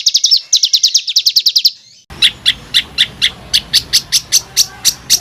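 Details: Coarse rolled songbird bursts for training fighter contest birds: a fast series of high clipped notes, then after a cut a slower string of sharp repeated notes about four per second over low background rumble.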